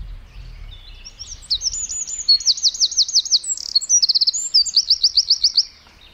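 A Eurasian wren sings a loud, rapid, high-pitched outpouring of trills and sharp notes lasting about four seconds, with faint low background rumble.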